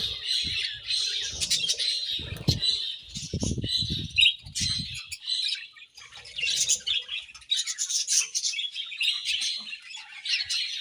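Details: Budgies chattering while they eat: a steady flow of warbled chirps and scratchy notes throughout, with low thuds and knocking from feeding in the first half.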